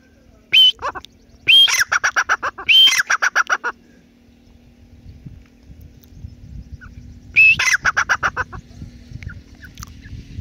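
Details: Teetar, the grey francolin, gives loud grating calls. Each opens with a harsh screech and runs into a rapid string of staccato notes. Two bouts are close together, then a long pause before a third.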